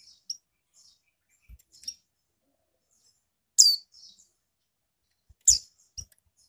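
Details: Female Mountain White-eye in a cage, Malang, East Java, calling to rouse males: scattered faint chips, then two strong shrill downward notes about two seconds apart, each with a short twittering tail, plus light clicks.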